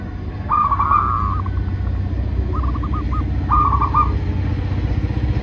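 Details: Local zebra dove song used as a lure for doves: three short bursts of rapid, stuttering coo notes spread over five seconds, set against a loud low rumbling hum.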